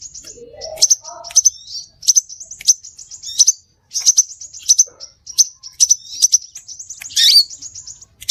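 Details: Lure call of scarlet minivet, given as repeated high chirping phrases with rapid twittering notes in quick bursts, plus one harsher buzzy note near the end and a few faint lower sounds.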